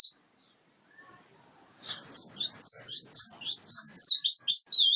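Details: After a quiet start, a wild-caught white-eye delivers a fast series of high, buzzy chirps, about four per second, over faint background rustling.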